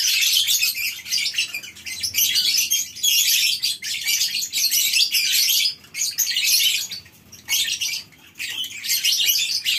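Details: Many lovebirds in a farm's colony aviary in the morning, keeping up a loud wash of high, rasping chirps and squeals with a few brief drops in volume near the end.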